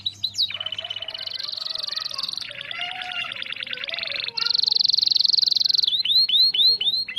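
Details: Canary song used for luring and tutoring shamas: starts with a lower, rattling chatter, shifts to a long shrill buzzing trill, then ends with clear arched whistles repeated in quick succession.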